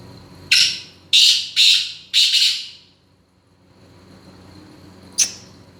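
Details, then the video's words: Indoor recording of a male black francolin (kala teetar) giving its grating call: a burst of four hoarse, scratchy notes, the final note broken into two parts. A brief sharp tick follows after quiet. "black francolin kala teetar male making sounds"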